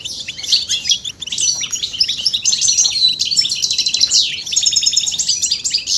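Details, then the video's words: Goldfinch song, European species, from a male urged to sing by mating calls: a continuous rush of bright chirps, trills and nasal buzzes, with quick slurred whistles woven between. "بتبتة فتاكة وفعالة في تحفيز الحسون على التغريد والهيجان والخروج من الستريس"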